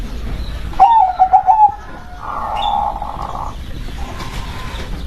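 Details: Local zebra dove, a perkutut described as berkodam, gives a fast stammering series of coos lasting under a second. Loud flat buzzing hums follow, first strong, then quieter.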